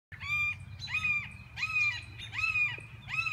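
A red-shouldered hawk gives harsh, slurred kee-ah screams, about four in three seconds, each rising then dropping, over a low rumble of background noise.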